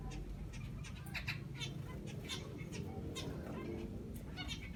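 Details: Aviary zebra finches, while grass is prepared as nesting material, give short, nasal, trumpet-like beeps in quick irregular succession over a low rumbling background.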